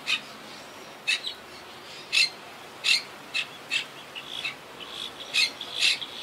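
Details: Wild Quaker parakeets in a treetop colony that survived Hurricane Irma in 2017: sharp, grating squawks in an uneven series roughly twice a second, some doubled, over a quiet background.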